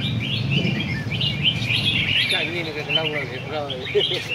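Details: Caged red-whiskered bulbuls on a display stand in A Lưới, Vietnam, singing for competition: continuous bright warbled whistling, joined midway by a lower wavering series of repeated notes, with faint voices behind.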